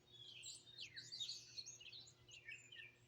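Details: Wild birds singing and chirping outdoors in Greenville, South Carolina, in 2023, recorded on a phone; overlapping high, sweeping, warbled phrases and chirps from several birds, with a faint low steady hum beneath.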